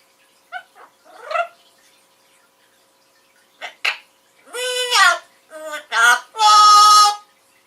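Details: A male Amazon parrot sings his own version of "Take Me Out to the Ball Game": a few short gurgled notes, then sustained voice-like tones rising in strength, ending on a long held note.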